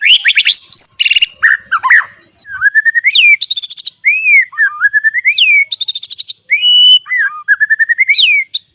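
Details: White-rumped shama with a complex mixed song, played to train young birds; fast harsh notes give way to looping whistled slurs and buzzy trills, rising and falling continuously.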